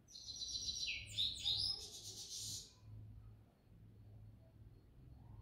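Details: Evening song of a grey-headed goldfinch, a rapid, tinkling run of high twittered notes and trills lasting over two seconds, then fading to faint background noise with a low hum.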